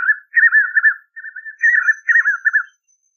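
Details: Singing in the dry caatinga scrub, a spot-backed puffbird delivers rapid wavering whistled notes in four close bursts, each a rolling mid-pitched quaver, over about three seconds.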